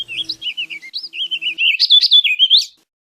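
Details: A single hurried warbled phrase from a warbling vireo, twisting notes growing louder and higher toward the end, with a faint low background hum.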